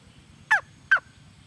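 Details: Two short, hoarse, downslurred squawks from a female red junglefowl, spaced under half a second apart, over a quiet low hum.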